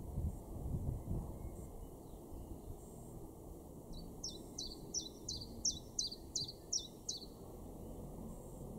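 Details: In a May garden in Weener, East Frisia, northwest Germany, a Common Chiffchaff starts singing after several quiet seconds: about nine crisp, high, falling notes in an even, rapid series, with low background rumble.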